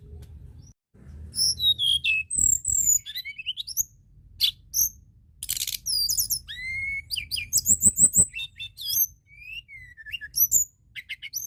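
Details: White-browed shortwing singing, played to excite other birds into song: quick bursts of varied high whistles, upslurs and twittering notes in uneven phrases, with short pauses and clicks between them.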